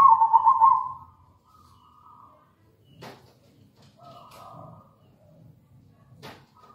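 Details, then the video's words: Local zebra dove singing actively, recorded as a lure to get other doves cooing: one loud, mid-pitched rolling coo phrase of rapid pulses lasting about a second, then fainter, more distant cooing and a couple of sharp clicks. "PANCINGAN PALING AMPUH PERKUTUT LOKAL GACOR"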